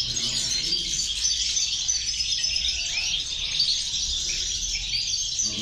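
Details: European goldfinch song in a 'corona de caderneras' at six batches, with one goldfinch singing strongly; dense, continuous twittering and tinkling trills fill the high range throughout, with faint low background rumble.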